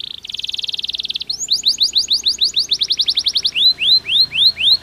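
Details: Canary song aimed at improving breeding success: a buzzy rattling trill, then rapid sliding whistles quickening into a dense roll, finishing with slower rising-and-falling whistled notes.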